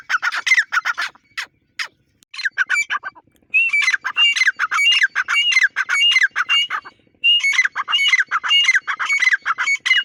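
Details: Grey francolin, called Dakhni teetar, giving loud, harsh repeated calls about 100 per minute, squawky notes in rhythmic bursts with brief pauses between series.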